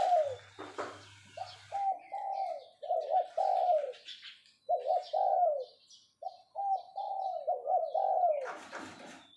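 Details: Decoy spotted dove in captivity calling steadily: a run of deep, throaty coos in short bursts with brief gaps. Clicks and a rustling noise at the start and the end, plus a faint low hum early on.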